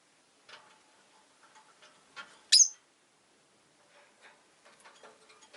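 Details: Pet rosy-faced lovebird kept in a cage by a window with four other birds. Soft rustling and faint clatter are heard, then one loud, shrill chirp.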